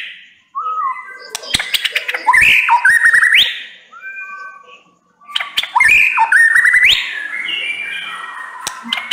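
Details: Murai batu, the white-rumped shama, in full song: soft whistles at first, then bursts of loud rising whistled phrases laced with hard clicks, a brief pause, and another powerful run of varied whistles.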